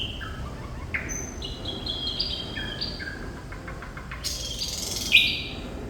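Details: Thrush nightingale, called sikatan londo, singing vigorously: sparse pure whistles and short buzzy phrases at varying pitches, a harsh burst of noisy notes near the end, over a low steady background hum.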